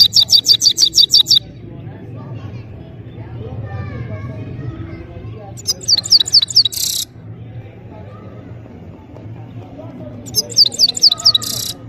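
A goldfinch sings three bursts of rapid, high, tinkling twitters, each just over a second long, a few seconds apart, over a low background murmur.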